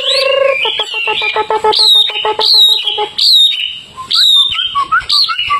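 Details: Tame Hwamei in full voice outdoors, opening with a held low note and a rapid stuttering rhythm before switching to loud, repeated, ringing slurred whistles about a second apart, with shorter rising notes at the end.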